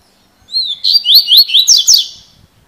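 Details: Double-collared seedeater (coleiro), a bird kept as a spirited 'fibra' singer, giving a bright, fast song of rising whistled notes followed by quick buzzy, slurred phrases, loud and clear against a quiet background.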